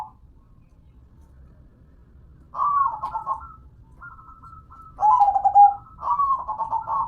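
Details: Perkutut zebra dove song, softer and partly masked: after a quiet start, trilled coos begin, with a thin level whistle-like tone and two stuttering phrases toward the end.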